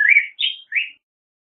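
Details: Three short warbled whistles from a Black-headed grosbeak, the middle one highest, each sliding downward, followed by silence.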